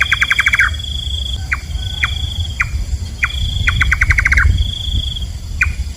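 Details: A nocturnal nightjar, locally nok kaba, opens with a rapid run of clipped notes, follows with lone knocking calls roughly every half second, then another fast burst. A shrill insect drone and a deep rumble fill the background.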